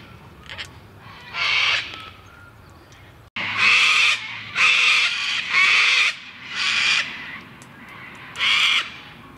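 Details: Gang-gang cockatoo calling on the slopes of Mount Majura, Canberra, Australian Capital Territory, on 19 February 2017: harsh, rasping, creaky screeches about a second long, repeated roughly every second, with short gaps between.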